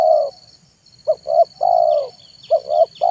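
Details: Spotted dove giving its manggung song in the afternoon, a lure recording for wild doves: a long coo, then two quick hoots and a sustained falling coo, more notes starting; faint high chirps and a steady hum.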